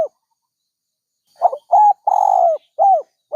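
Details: Dove cooing: after a silent stretch, four mellow, low, hollow coo notes, one longer drawn-out note among short arched ones, delivered in quick succession.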